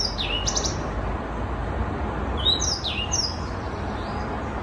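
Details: Young Black-throated Canary of six months giving a few sparse high whistles, mostly down-slurred notes in short clusters separated by quieter moments, with background hiss throughout.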